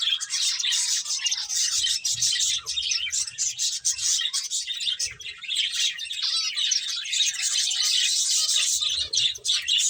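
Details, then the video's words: Feeding finches keep up a continuous wash of high, twittering chirps, many birds calling at once with barely a break, and soft low knocks in the background. "Cute Birds Chirping Sounds | Beautiful Finches Eating"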